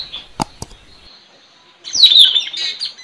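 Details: Caged decoy Straw-headed Bulbul, called puling, trained to call in wild birds, recorded 4 April 2021 in front of a village house; after faint clicks, a bright run of descending, slurred high notes bursts out for over a second.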